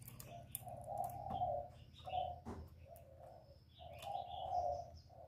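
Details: Spotted dove call used as a lure for trapping: low, drawn-out hollow coos repeated about every second and a half, over a steady low hum, with faint higher chirps from other birds and a few clicks.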